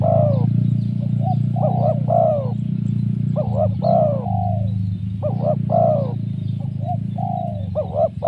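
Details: Spotted dove with a 'mersik' voice, whose calls serve to lure wild doves. Repeated phrases of paired short arched coos and a longer sliding coo sound throughout, over a steady low droning background hum.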